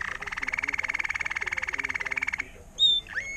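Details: Tutored Timbrado canary from 2018, agate topaz intensive yellow, sings a steady, evenly pulsed mid-pitched rolling trill lasting over two seconds, then breaks into a couple of short sliding whistled notes.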